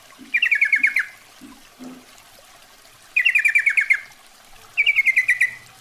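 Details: Female Yellow-vented Bulbul calling the male as a lure: three bursts of fast, bright chattering notes, each sliding a little downward, with a few soft low taps between the first and second bursts.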